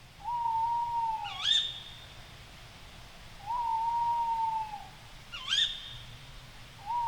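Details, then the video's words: Tawny owl calling at night in forest: long level hoots about four seconds apart, each followed by a short sharp high call with a quick upward twist, the pair repeated twice; faint low background rumble. "Le Cri de la Chouette Hulotte"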